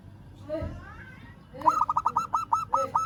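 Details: Calling a rival, a local zebra dove gives a quick run of about nine staccato cooing notes, slightly uneven in spacing, after a brief faint murmur at the start.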